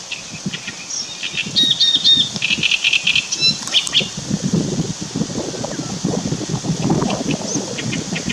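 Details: Great reed warbler recorded on 2 June 2017, giving a short burst of harsh, grating, chattering phrases from about one and a half to four seconds, over steady low rumbling background noise.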